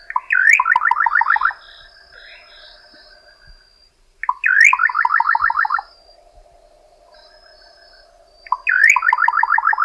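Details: Little Nightjar (Setopagis parvula) song: phrases about every four seconds, a sharp upslurred note, then a quick stuttering run of seven or eight dry notes; steady insect hum underneath.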